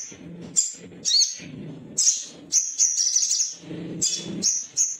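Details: Agitated male little spiderhunter calling for a rival: piercing high chits and short trills come in clusters, some notes run together into a brief chatter, over recurring low thumping noise.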